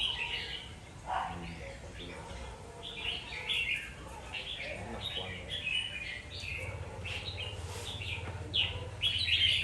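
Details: Red-whiskered bulbul, called a warrior bird, singing bursts of bright warbled chirps in quick clusters, with fainter lower sounds, possibly voices, and low rumbling hum underneath.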